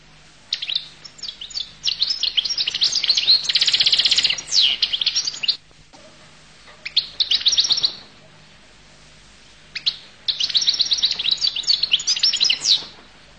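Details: Goldfinch singing in three bursts of fast, jangling, high twittering, dense tinkling notes run together, with brief quiet gaps between phrases.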